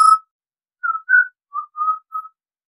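A Pied Butcherbird gives a short run of pure, flute-like whistled notes, about six in just over two seconds, gently rising and falling in pitch. No other sounds.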